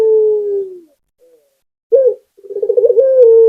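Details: Local puter, a Barbary dove, cooing energetically: the tail of a falling drawn-out note, silence, then a short clipped coo and a pulsing rolled trill that flattens into a steady held tone.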